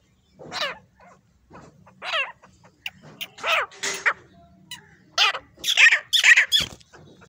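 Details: Grey francolin pair calling: strident, rasping notes delivered in quick runs, a pause, then a louder, faster cluster near the end, over a quiet background.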